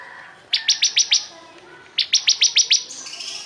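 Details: Bar-winged prinia, a crystal ciblek in lively singing form; two bursts of six sharp, high, evenly spaced chipping notes, each burst about a second long, separated by a short pause.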